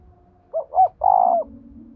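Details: A single cooing phrase from a decoy spotted dove meant to make wild doves answer: two short hollow notes then a longer sustained coo, over a low droning background.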